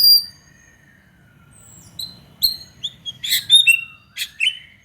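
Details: White-rumped shama song as a lure to make other shamas sing: a long, thin, drawn-out whistle, then scattered sharp, high chips and short bursts.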